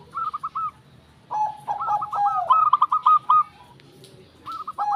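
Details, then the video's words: Zebra dove song of quick staccato cooing notes in overlapping phrases, the busiest run in the middle, with a faint low rumble in the background. "Prekutut Gemoy Katuranggan"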